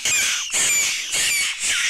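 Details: Young jackdaws, rescued from a nest halfway down a house chimney and being fed in care, give harsh, high, grating squawks in four quick half-second bursts with hardly a pause.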